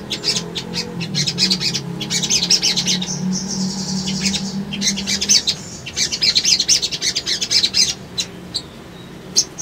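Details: Sunbird, called sogon locally, singing on a lure recording meant to trigger rivals: long spells of quick, shrill chips and trills, a sustained high whistled note near the middle, over a low droning hum early on.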